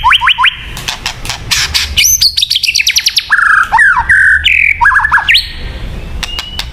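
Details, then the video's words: White-rumped shama song used for luring birds: varied loud whistles, rapid downward sweeps and trills, clear fluty phrases with sharp clicks between them. "Suara Burung Murai Batu yang paling baik untuk pikat"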